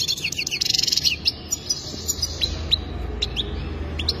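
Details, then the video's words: Goldfinch giving a quick, rattling twitter for about a second, followed by sparse separate high chirps over a steady low hum. "اجمل تغريد حسون"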